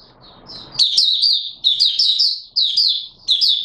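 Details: Singing Oriental white-eye, 24 March 2022: after a soft noisy start, four quick phrases of thin, high, chattering notes, each opening with a sharp rising flick and running down in a tight warble.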